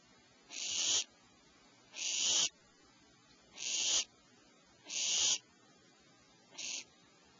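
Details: Owlets in their cavity at 04:47 PST, not very hungry, as the mother brings fresh prey; five steady rasping hiss-screeches, about one every one and a half seconds, the last shorter.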